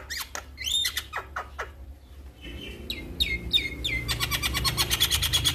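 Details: Male Javan myna calling other mynas: short downward-slurred whistles and clicks, a pause, then a series of rising whistled notes followed by fast rhythmic chattering over a low background rumble.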